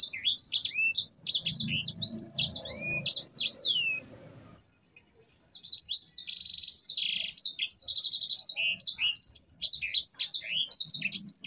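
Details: Sanger (singing finch) song used as a master tutor for other cage birds, a long continuous roll: rapid high whistled slurs and buzzy trills, a brief pause near four seconds, then dense rattling phrases resume, with faint low background rumble.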